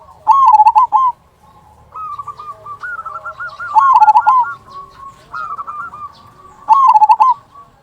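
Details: Big "kung" cooing of a local zebra dove, played to make reluctant zebra doves sing: three loud hammered coo bursts spaced roughly three seconds apart, with lighter rolling trills between them.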